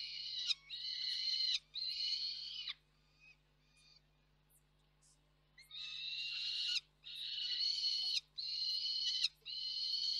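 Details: Juvenile peregrine falcon screaming off-frame at the Koksik nest site in Reda, 3 July 2024. Long, harsh, ringing screams in drawn-out bouts, with a quiet pause mid-clip before the screaming resumes loudly.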